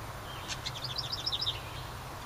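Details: House wren singing near its summer nest in a ceramic birdhouse outside a cabin: a bubbly sequence of quick high notes in rhythmic pairs over a soft rumble.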